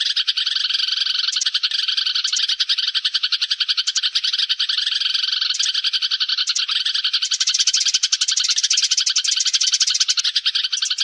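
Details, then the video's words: Sparrow flock-gathering call used as a lure sound: a dense, continuous chorus of bright, high chirps, several calls overlapping each second with no pause. "tiếng chim sẻ gọi bầy"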